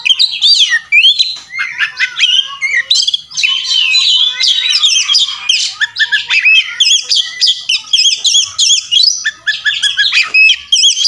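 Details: Extended fighting song of an Oriental magpie-robin, a master for training other birds: varied, energetic run of whistled swoops, trills and harsh scratchy notes, repeated phrases flowing almost nonstop.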